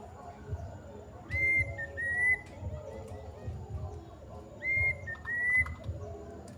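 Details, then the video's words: Kedasih, the plaintive cuckoo, singing a long call: loud pure whistles in pairs, first note rising slightly, second steady and ending higher, repeated about every three seconds over low steady background hum. "kedasih gacor bunyi panjang"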